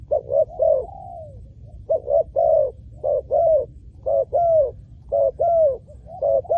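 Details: Repeated spotted dove phrases for luring wild doves on the ground. About six short groups, each of quick coos and a longer falling coo, sound at a steady pace in a mellow, low pitch over a faint rumble.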